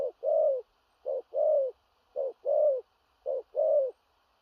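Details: Spotted dove, a big-framed bird, delivering loud 'thổ rặc' coos: four clear pairs of a quick low note followed by a fuller, slightly descending hoot, steady and unaccompanied.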